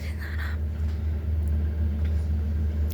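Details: A steady low engine rumble with faint indoor noise, and no animal calls.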